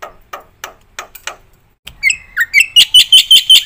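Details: Black-winged myna in full song, used for prompting and tutoring other birds: a series of harsh, buzzy notes, a short pause, then loud sharp whistled notes repeated quickly and evenly.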